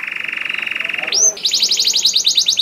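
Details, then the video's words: Canary song used to make other canaries sing: a steady fast rattling trill, a single rising swoop, then a higher, quicker pulsing trill. "Voice of Canary"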